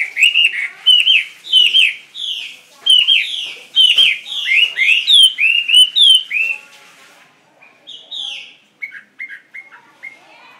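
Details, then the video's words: Chinese hwamei in a cage delivering a rich, continuous run of loud, clear, slurred whistles, rapidly repeated and varied, about seven seconds long, then softer, short, clipped notes trailing off at the end. "HOA MI MOI XONG LONG"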